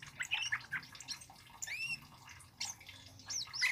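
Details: Scarlet-headed flowerpecker (Dicaeum trochileum), song.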